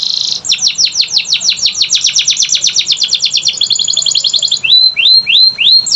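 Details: Canary song to prompt non-singing canaries: buzzy opening note, long rapid series of falling sweeps speeding up, then several rising slurred whistles repeated about every half second.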